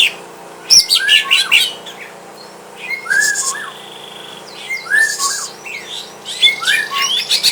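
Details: Caged greater green leafbird at home, set against a rival to test its fighting spirit, giving bursts of varied chirps and sweeping whistled notes separated by short pauses.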